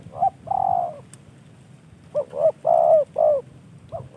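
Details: Caged spotted dove, a gift from a fellow hobbyist and kept as a decoy bird, giving soft low coos: a long sustained note, then a run of short and longer coos.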